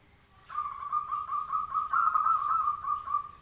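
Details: Local zebra dove in lively song delivers a long, rolling trill of soft coos lasting about three seconds, pulsing rapidly on a steady low pitch before tapering off.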